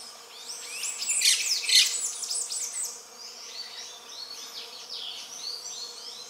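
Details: Grey-breasted Parakeet (Pyrrhura griseipectus) mating, giving harsh, high, scratchy screeches in a quick burst, then softer chattering notes about twice a second.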